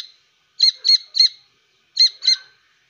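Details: A grey francolin chick gives a brisk run of three clipped, high, ringing chirps, then a pause, then two more.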